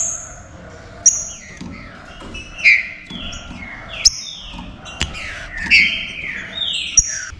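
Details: Warm-up song of Green-winged saltator meant to make other saltators lively; styles picharro, estevo and pantaneiro named: falling whistled slurs and crisp high strokes spaced about a second apart, somewhat quieter, slight room echo.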